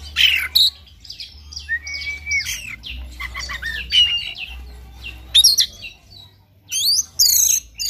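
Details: An Oriental magpie-robin sings in the morning, a lure for other birds to sing; a rich mix of clear whistled slurs, scratchy notes and fast high trills in irregular bursts, low hum behind.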